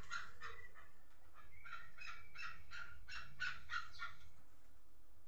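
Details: Chukar partridge, praised as the finest partridge, delivering a rapid series of harsh clucking notes, about three or four per second for four seconds, rising into a chattering run before stopping, over a low background hum.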